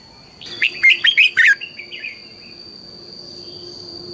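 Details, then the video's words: Red-whiskered bulbul belting a quick morning phrase for song training: five rapid loud chirpy warbled notes within a second, trailing into soft twittering, then a quiet background with a steady high hum. "luyện chào mào hót sáng, Hót hay KÍCH BỔI NHANH CĂNG LỬA, Cách luyện chào mào hót căng lửa"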